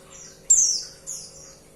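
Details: One strong, very high, falling note from a female white-eye calling her mate, followed by a weaker, similar slurred note half a second later.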